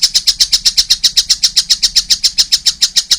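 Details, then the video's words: Juvenile collared kingfisher calling actively, an unbroken run of rapid, buzzy, rasping notes delivered at a steady fast pace. "wow masih kecil udah gacor , anakan burung tengkek buto"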